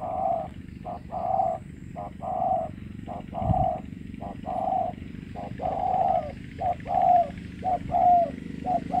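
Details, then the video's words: Spotted dove from Cà Mau, Vietnam, giving deep, mellow cooing notes strung into short phrases of several coos, each phrase repeating about every two to three seconds over a faint low background rumble. "Cu gáy cà mau biển màn đói khán khó đỡ"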